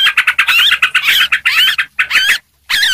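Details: Lure recording of noisy sooty-headed bulbuls: rapid, bubbly chirps and slurred whistled notes in quick bursts, a short silence, then the chattering resumes.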